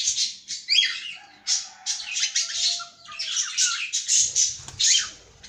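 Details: Continuous chattering from a caged cockatiel: rapid, scratchy high notes with short whistled slides, running almost without a break.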